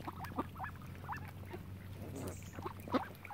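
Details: Ducks beside a swan family on Lough Neagh, Oxford Island, Ireland, giving short rising nasal quacks in scattered bursts over a low steady hum.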